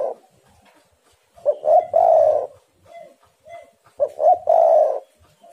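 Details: Low cooing song of spotted doves, recorded as a lure to make doves sing: two phrases about two and a half seconds apart, each a couple of short notes leading into a long coo, with faint soft coos between.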